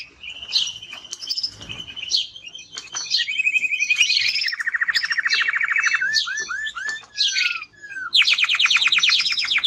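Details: Male timbrado canary singing strongly: high twittering notes, then a long steady buzzy roll, a fast rattling trill, a few downslurred whistles and a final rapid bright trill, all loud and continuous.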